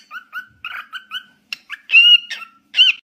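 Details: Cockatiel whistling a string of short chirpy notes, followed by two longer, louder wavering whistles.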